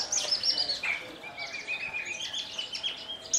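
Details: Javan bush lark from Kulon Progo, Indonesia, kept in captivity and singing Jambul style while fluttering its wings; short passage of sliding high whistles and thin chirps, gliding down then levelling.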